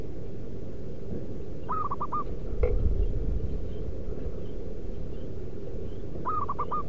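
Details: Local wild-type zebra dove lure call to attract wild doves: two phrases about four and a half seconds apart, each a longer note followed by three quick notes, with a sharp click between them and low rumbling throughout.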